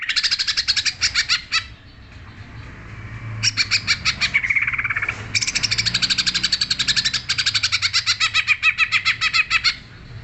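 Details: Long rapid outpouring from a greater green leafbird: fast, shrill repeated chirps in runs, a brief softer warbled phrase midway, then another sustained volley of quick sharp notes.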